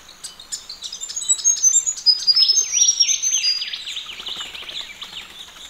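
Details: Ring-necked parrots washing in a pond: thin high piping notes open, then a loud stretch of quick, scratchy chattering calls from more than one bird, fading toward the end.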